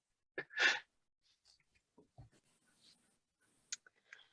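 A loud sneeze-like burst from a person indoors, followed by faint breaths and small room noises; no animal sound.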